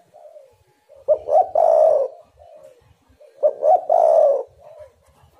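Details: Spotted dove calling as a lure to make other doves sing: two strong phrases, each a pair of brief rising notes then a drawn-out hoarse coo, with faint soft cooing before and after.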